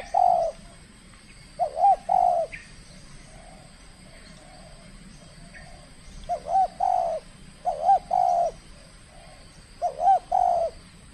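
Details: Contest-trained spotted dove displaying its skill in a first calling match: repeated phrases of two or three soft, bowed coos, each phrase separated by a few seconds of quiet background.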